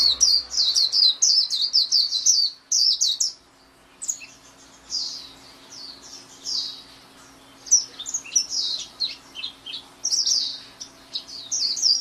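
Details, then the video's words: White-eye song, called pleci locally: dense high warbling, a one-second silence, then looser trills and chirps rising and falling, with a faint hum behind. "SUARA MAHAL KICAU BURUNG PLECI"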